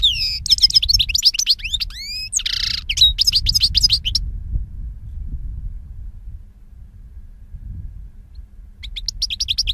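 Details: European goldfinch song recorded in 2016: a fast burst of high twittering, buzzy notes and sweeping whistles lasting about four seconds, then near silence with low rumble, before the song resumes briefly at the end.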